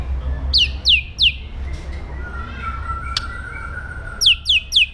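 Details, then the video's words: White-rumped shama singing an aggressive training song for other birds: three sharp, high, down-slurred whistles, a pause with a faint steady tone behind, then three more quick descending notes. "PASTOL JAHAT MENTAL BAJA | MASA DEPAN CERAH | SHAMA BIRD"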